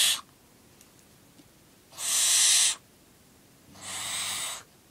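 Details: Young barn owl, aged nine weeks, during feeding: two long breathy hisses near a second each, the second slightly softer, after the tail of an earlier one.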